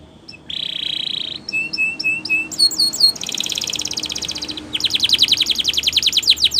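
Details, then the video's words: Gloster canary training song: rolling trill, clear whistles with downslurs, then a long buzzy trill and a fast rattling series of repeated notes. "Gloster Canary Singing For Training"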